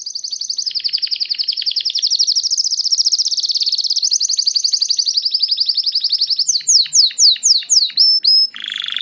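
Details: Painted Belgian canary melody: a sustained, very rapid high rolling trill for over six seconds, breaking into a series of sharp descending whistled sweeps and a final lower buzzy note.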